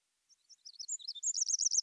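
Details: Pacific Wren song, Western United States: rapid high tinkling notes that build into a dense, fast jumble of trills, likened to jazz improvisation.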